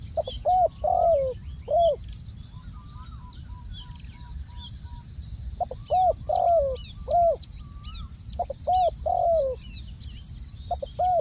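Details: Spotted dove kept as a ground decoy, cooing in repeated three-part phrases: clipped lead note, rounded coo, then a longer slurred descending coo, roughly every few seconds, with thin twittering of other birds and low background hum.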